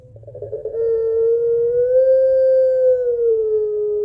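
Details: Puter pelung Barbary dove, a long-cooing bird used as a lure, calling its mate with one long, smooth coo that rises gently midway and sinks slightly at the end, after a rough start.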